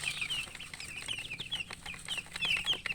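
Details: Thirsty chicks crying for water, a crowd of shrill, rapid peeps tumbling over one another without pause above a constant low background drone.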